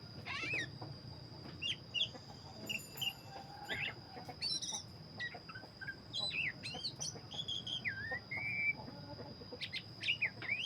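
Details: Black-breasted Oriental magpie-robin in full song: varied whistles, looping slurs and clipped chirps, with a drawn-out warbled phrase near the end. A low rumbling background and a steady high tone run underneath.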